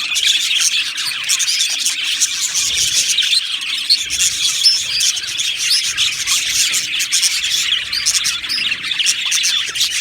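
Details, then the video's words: Many Australian budgies in a colony aviary sing and chirp at once; rapid, busy twittering and clicking notes pour out steadily, high and scratchy, without any quiet gaps. "Beautiful Budgies Birds Singing and Chirping Sounds"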